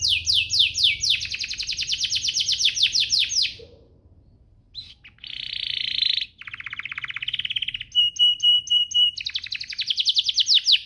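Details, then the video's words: Canary song used to spur other canaries into song: long run of rapid falling sweeps, a pause, buzzy trills, a steady whistled tone, then repeated loud descending notes about twice a second. "Pancingan ini Berhasil pancing kenari manapun jadi ikut GACOR, Pancingan kenari biar gacor"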